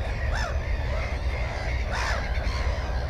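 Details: Two rasping, down-curved calls about a second and a half apart from a Black-headed gull at a nest with one egg and a chick, GoPro 4, 15 May 2016, over wind rumble.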